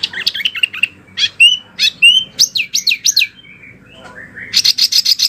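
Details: Wambi singing, a recording used for training oriental magpie-robins and other birds: mixed chirps and sliding whistles, a short pause with a soft rising note, then a quick burst of buzzy repeated notes.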